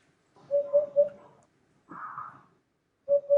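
A Eurasian Hoopoe sings soft, hollow, low 'poo-poo-poo' hoots in a quick triple, then starts the phrase again after a brief noisy murmur.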